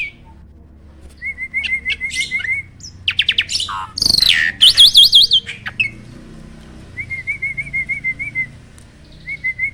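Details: Black-winged starling vocalising as a tutor for starlings that sing little: a wavering trill, then harsh squawks and fast zigzag high notes, then more rippling trills.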